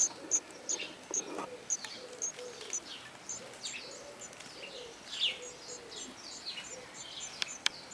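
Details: Great tit nestlings with eyes newly open, somewhat cold and less active during chilly Dutch weather, give thin, very high chirps in a steady rapid stream, with a few sharper downslurred notes and soft low cooing in the background.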